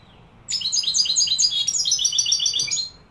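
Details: European goldfinch from Morocco singing in the Málaga style: a continuous run of rapid, high, tinkling twitters and trills, beginning after a half-second pause and lasting about two and a half seconds.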